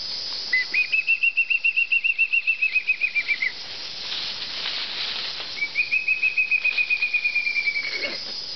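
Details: A pair of Spot-crowned Antvireos, here a male, sings actively on the El Almejal trails in the Pacific Chocó of Colombia in February 2010, moving with a mixed flock. It gives two quick runs of high, clipped whistled notes, each sagging slightly at the end, over steady insect hiss.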